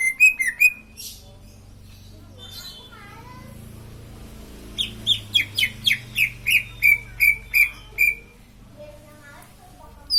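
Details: Green leafbird song with a few opening whistles, a quiet gap, then an even series of about a dozen bright whistled notes at a steady quick pace.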